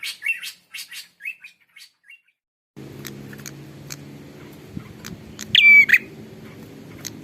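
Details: Bar-winged prinia: a few quick high chirps and short slurred notes, then a pause with a low steady hum in the background and a single loud, clear whistled note near the end.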